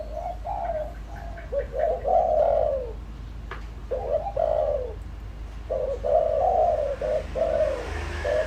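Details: Spotted dove used as a decoy, calling to excite wild birds: several series of soft, throaty coos, each short note followed by a longer downward-sliding coo, with brief clicks and low background hum.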